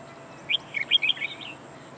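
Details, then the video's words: Red-whiskered bulbul, a decoy bird used for trapping, singing a short phrase of bright whistled notes, several quick clear chirps clustered in under a second over quiet background hiss. "Bẫy chào mào Mồi quảng lập công e xòe đuôi hết bản"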